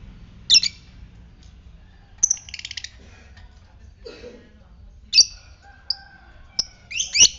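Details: Lovebird of fighter type in ngetik style, played to provoke other lovebirds into ngekek: scattered shrill squeaks and a quick run of ticking notes, then clustered harsh chirps toward the end, with a faint background tone.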